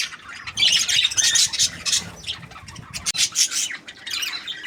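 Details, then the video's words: A budgerigar chirps happily in bursts of harsh squawky notes mixed with quick high twitters, broken by short pauses and one sharp click. "Happy Budgie chirping sounds"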